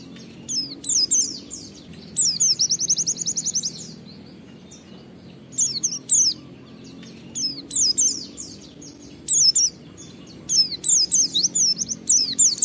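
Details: Oriental white-eye lure song for getting other white-eyes to sing: high falling whistles alternating with fast, even trilled runs, continuing in bursts throughout.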